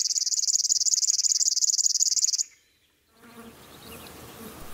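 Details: River Warbler song at dusk, a species found by rivers but also in forests, gardens and parks: a fast, high, insect-like chirring of even pulses, about eight per second, breaking off into a pause, then faint background music.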